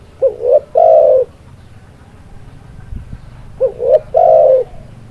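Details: Spotted dove (tekukur) lure call used to attract birds for trapping: two phrases, each a short rising double coo followed by a longer steady low coo, with a faint rural background hum.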